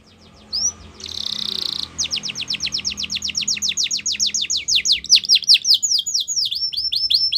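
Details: Yorkshire canary song meant for training young canaries: a single rising note and a short buzzy burst, then a long, accelerating series of sharp descending sweeps repeated about three per second.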